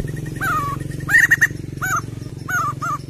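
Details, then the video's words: Crested white-crested laughingthrush song used as a lure to get others singing: short, slurred mid-pitched notes in quick bursts of two or three, over a steady low droning hum. "PANCING BUNYI POKSAY JAMBUL NGETEM"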